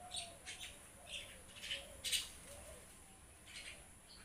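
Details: Flock of mynas giving quick, bright chirps and chattering squeaks, densely and irregularly spaced, with a sharper cluster of notes just past the midpoint and a faint steady hum underneath.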